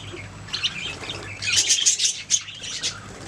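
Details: Budgerigars singing softly, then a rapid string of bright scratchy chirps and short whistled notes rising in the second half over a low hum.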